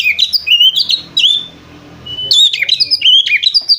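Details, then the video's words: White-rumped shama with lovebird-like chattering: bright whistled phrases with downward slurs, a brief pause holding one steady thin tone, then more rapid jumping whistles. "suara kacer ngriwik seperti lovebird"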